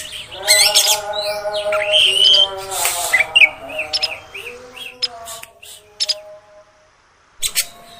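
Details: Oriental magpie-robin, female sound intended to stir up males: harsh noisy bursts and brief whistles early on, fading to scattered sharp notes and near silence, then one final burst.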